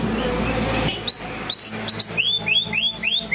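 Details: Greater green leafbird singing canary-style 'ngunci kenari' material: after a second of low rumbling noise, sharp high chips give way to a string of rising, arched whistles repeated several times per second.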